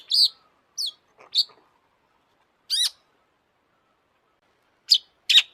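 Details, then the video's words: Long-tailed shrike sounds, used as a lure to stir shrikes: scattered single notes, some falling whistles and some short harsh rasps, separated by long silent gaps. "kicau burung cendet gacor FULL EMOSI,, untuk PANCINGAN CENDET AGAR BUNYI jadikan BURUNG PENTET GACOR"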